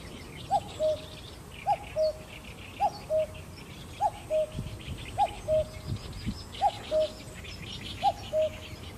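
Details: Eurasian cuckoo recorded with a Sony A7M3 camera and 200-600mm lens, repeating its two-note 'cu-coo', the first note higher and the second lower and longer, about every 1.2 seconds, over a hiss of insects and distant birds.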